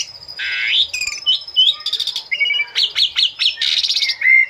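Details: Lively song of an Asian pied starling, meant for captive birds to imitate: a wheezy buzz, then chirped whistles, a series of quick down-slurred notes, harsh raspy bursts and a final clear whistle.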